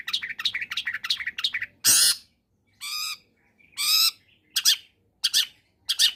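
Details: Long-tailed shrike in full combination song, used as a lure to prompt reluctant shrikes to sing: a fast run of scratchy chirps, then loud harsh rasping bursts and sharp squawks with short pauses between.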